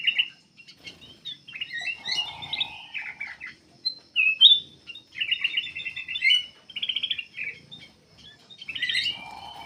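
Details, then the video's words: Black-capped bulbul singing vigorously, a recording for luring other birds into song. Busy mix of squeaky whistles and fast rattled trills, broken by short gaps, with a low buzzing tone at times. "KUTILANG EMAS \ CUCAK EMAS GACOR FULL GACOR sangat bagus buat pancingan \ pikat"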